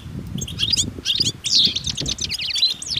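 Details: European goldfinches in a group, singing out in nature with mating and readiness calls; bright, tinkling twitters and quick buzzy trills come in short bursts, with low background rumble underneath.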